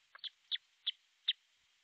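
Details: Osprey at its artificial nest in Pohjois Satakunta, Finland, nest camera, 6 July 2023 about 12.31; four short, loud, high whistled notes spaced roughly a third of a second apart.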